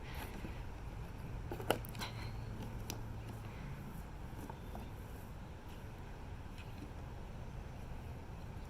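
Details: Low indoor rumble with a brief knock and faint distant sounds; no animal voice can be picked out.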